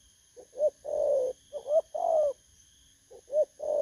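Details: Wild-caught spotted dove on 19 August 2024 cooing three times in close succession. Each phrase has brief soft notes, then a rising coo and a sustained, husky, falling coo. A faint electronic whine persists in the background.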